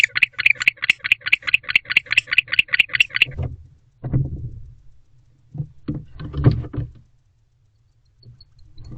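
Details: A male barn owl in a nest box at 11:44 pm in October calls to his mate during winter courtship. Rapid raspy chirrups repeat for about three seconds, then stop, followed by soft thumps and scuffling.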